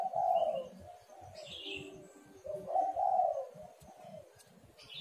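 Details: Spotted dove calls used as a lure: gentle low coos in two groups over constant low rumbling noise, with a brief higher twittering from another bird in between.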